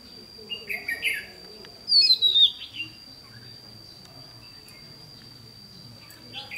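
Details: Red-whiskered bulbul used as a trapping decoy, 28 May 2016: a brief chattering phrase followed by a louder, sharply descending whistled flourish, then quiet, against a constant thin high-pitched tone and low background noise.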